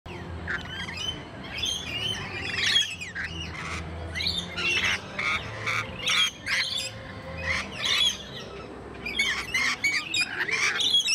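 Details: Rainbow lorikeets, a flock of parrots at a wildlife park and zoo, giving harsh, shrill squawks and chattering screeches in quick overlapping bursts, many birds calling at once, with a faint low background rumble.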